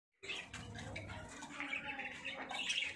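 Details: Parrots in Pakistan singing: dense, overlapping chirps and squeaky twitters run almost continuously after a brief silent start, with a steady low hum underneath.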